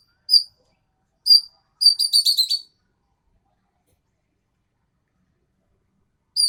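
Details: Green magpie from Sumatra singing eagerly: two clipped high whistles, then a fast, slightly descending chatter of about eight notes, followed by silence and one last high note.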